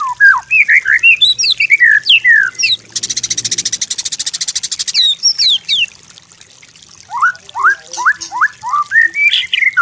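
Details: White-rumped shama master song for training, mixing sweeping whistled slurs with a dense buzzy high trill lasting about two seconds, then a run of quick falling notes.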